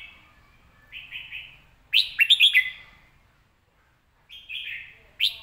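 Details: Red-whiskered bulbul kept in a cage, singing short warbled phrases: a soft run of three notes, then a loud burst of rapid looping whistles, a pause, and another phrase starting.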